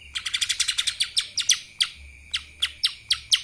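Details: Lesser green leafbird (cucak ijo mini) delivering kapas tembak style song: a quick volley of shrill, descending chip notes that gradually slows to loud single notes spaced almost half a second apart.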